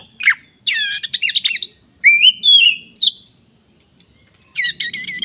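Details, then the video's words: Black-breasted magpie-robin in vigorous song, meant to restore singing in a silent bird; fast chattering notes, then sweet rising whistles, a pause, and a final rattling chatter. "Pancingan kacer dada hitam gacor - pulihkan kacer macet bunyi"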